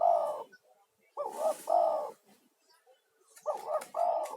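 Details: Spotted dove, a vigorous male lure call for attracting other doves and therapy for stressed caged ones; three cooing phrases of paired short-long notes about one second apart, with light rustle.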